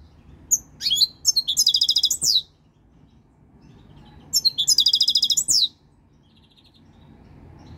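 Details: Three-year-old European goldfinch coming into breeding condition, singing two bursts of rapid, tinkling repeated notes, each followed by a descending slur, with a low background hum.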